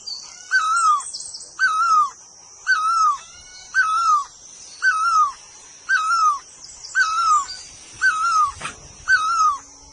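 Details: Nine clear, slightly wavering whistled bird notes fall at their ends and repeat with metronome regularity about once a second. A steady high insect drone runs underneath, with one sharp click near the end.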